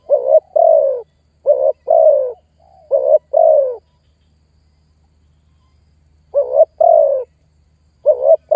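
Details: Spotted dove call used as a lure when trapping wild doves, meant to call and pressure a rival: low, mellow cooing phrases, each a quick note followed by a longer falling coo, in groups with a pause.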